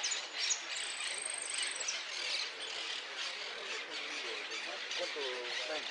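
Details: Hooded siskin singing in a song contest at Quilmes on 24 December 2016: a fast, unbroken, high twittering song with one long thin whistle near the start, with faint voices murmuring in the background.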